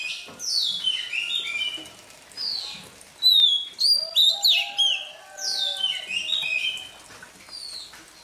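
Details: Freshly caught Oriental magpie-robin singing in the morning to train its voice: repeated descending whistled phrases with rich twittering, a loud cluster of sharp notes midway, and a lower whistle beneath.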